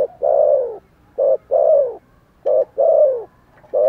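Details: Loud, close spotted dove cooing: alternating short hoots and longer, mellow, slightly descending coos, repeated steadily about every second and a quarter.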